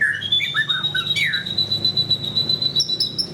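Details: White-rumped shama (murai batu), a gacor bird singing steadily: rising and falling whistled phrases, then a long steady high whistle held for about two seconds ending in sharper high notes, with a low hum underneath.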